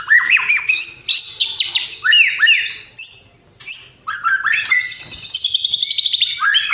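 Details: White-rumped shama in full song, filled with imitations of sparring sparrows, lovebird and kapas tembak: a rapid run of sweeping rising and falling whistles, scratchy notes and bright upslurs, changing phrase every second or so.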